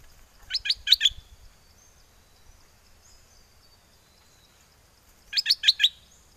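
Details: Caged bulbul from Chana, Songkhla, southern Thailand, singing wild-style phrases while calling a mate during windy weather: two bursts of four rapid, rich chirping notes, separated by several seconds of near silence.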